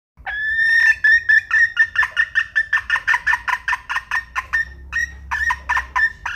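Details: A red junglefowl hen opens with a drawn-out, slightly rising note and then breaks into a long train of quick, rhythmic clucks. A low background hum runs underneath.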